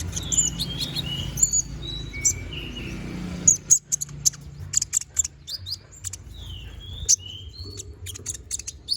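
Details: Energetic konin song for tutoring magpie-robins, mixing downslurred whistles and quick high chip bursts, with a pause near the middle and a continuous low background hum.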